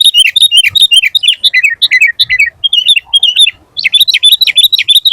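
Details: Lively full song of a sooty-headed bulbul, used for training and calling other bulbuls: an almost continuous run of rapid chattering, bubbly whistled notes that rise and dip, with one brief pause near the middle.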